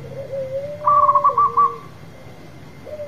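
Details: Loud local zebra dove: a long low sliding coo runs beneath a quick burst of five or six bright clipped notes, then quiet before a new coo begins.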